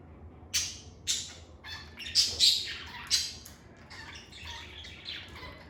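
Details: Pet lovebirds in a calm indoor setting giving loud, harsh squawks and shrill chirps, sharp bursts roughly every half second to second, with overlapping high chatter between them.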